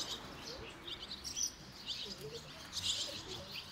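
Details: Fledging barn swallow chicks, five from one nest leaving almost at once, with other fledglings around. Brief high twittering notes come in loose clusters with low background noise.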